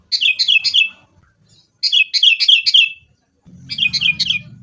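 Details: Caged sooty-headed bulbul lure song, fighting style: three quick bursts of sharp, descending chirps in groups of three to four, separated by brief silences, a low rumble entering near the end.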